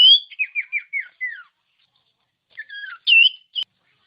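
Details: Common iora song, a tutor recording played to provoke reluctant ioras into singing. A quick descending series of five short whistled notes, a pause, then a few sharper, higher chirps and whistles.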